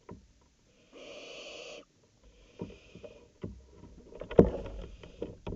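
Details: Barn owls at night, 19 July 2018 around 02:56: one loud breathy hiss lasting under a second, then a softer shorter hiss, followed by scattered knocks, scrapes and rustling.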